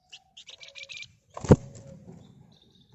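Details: Red-whiskered bulbul in lively ngebren song, offered as a lure for other birds: a run of short buzzy high chirps, then a loud thump and a rustling low background.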